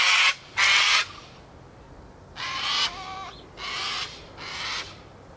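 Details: Flock of ibis feeding in a ploughed field and preening in the warm afternoon sun; a series of five coarse, grating croaks, the first two loud and close together, the rest somewhat softer and spaced about a second apart.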